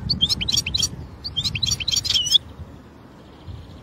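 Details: European goldfinch singing in the wild: a quick run of bright, tinkling twitters and chirps in short bursts for about two and a half seconds, then quiet, with a low background rumble underneath.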